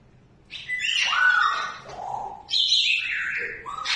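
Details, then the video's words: Cockatoo, happy at a friend's visit, gives two loud, harsh, screechy calls, each sliding downward and lasting about a second and a half, with a brief pause between. "FRIEND CAME TO VISIT 😱| CUTE parrot cockatoo | lovely bird"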